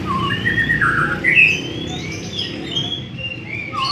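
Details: White-rumped shama in Indonesia delivering varied sweet whistles, sliding up and down between low and high notes in loose, irregular phrases, with a low background hum throughout.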